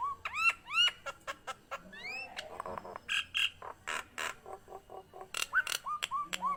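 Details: Nias hill myna singing energetically, recorded as a lure and tutor for other Nias mynas: rising whistled slurs, then a fast series of short harsh, broadband notes and clicks, ending with more upward-sweeping whistles.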